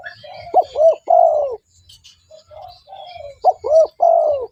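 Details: Spotted dove calling as a lure for other doves: a short note, an arched coo and a long descending coo, repeated twice, with quieter cooing in between.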